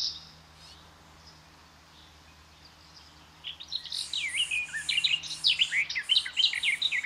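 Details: Garden Warbler, a forest-edge bird, beginning its song after about three quiet seconds. It launches into a rapid, bubbling warble of varied liquid notes and grows louder toward the end, with faint background hiss.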